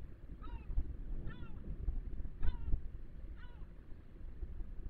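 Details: Gull calling persistently in strong wind near a natural osprey nest on a sea cliff about 50 m above the sea, Cabrera Archipelago National Park: four harsh, downward-slurred calls about a second apart, partly buried under rumbling wind noise.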